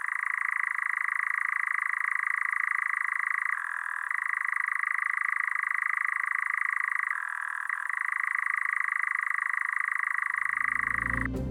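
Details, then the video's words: Eurasian nightjar churring, a long continuous mechanical call for territory and attracting mates in open woodland and heathland, heard at dusk: a steady, dry trill with two brief pitch drops, then a low thump at the end. "Number 10. The Eurasian night jar has a call that sounds more mechanical than natural."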